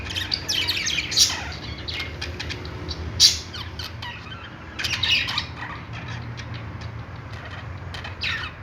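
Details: Budgerigars in a pet store give scattered sharp chirps and squawks between quieter stretches of soft chatter, over a steady low indoor hum.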